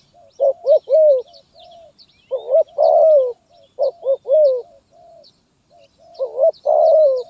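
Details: Spotted dove giving gagap tindan (sepatah) stuttering coos, January 2022: repeated groups of two quick low notes followed by a longer drawn coo, about once every two seconds, with faint high chirps of other birds.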